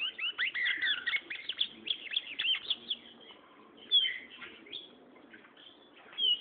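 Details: Gray seedeater, a young bird, singing: a fast run of loud, sweet, warbled and slurred whistled notes for about three seconds, then scattered thin whistles and chirps with pauses between.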